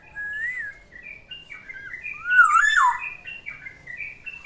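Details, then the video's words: Pet Black-naped oriole kept in a cage, morning song: mellow whistled phrases mixed with short chattery notes, peaking in a loud liquid swooping whistle midway, then a string of brief repeated chirps. "OCEHAN BURUNG KEPODANG DI PAGI HARI, SUARANYA BIKIN ADEM"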